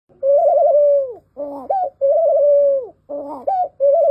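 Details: Barbary dove cooing, heard in comparison with the Eurasian collared dove: long rolling, slightly trilled coos that fall off at the end, each followed by a short upslurred note, repeated about every one and a half seconds.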